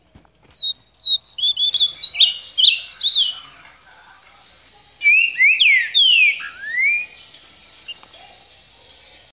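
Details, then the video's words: Ultramarine grosbeak singing in the regional Bahia style (canto baiano): two rich, warbled phrases of quick high notes, then longer slurred whistles sliding down; otherwise quiet. "Azulão- canto baiano"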